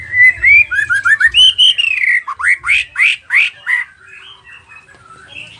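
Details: Nias spotted white-rumped shama in loud song: a run of quick rising whistles, then a series of strong upsweeping notes repeated about three per second, ending in softer chatter; faint low hum early on.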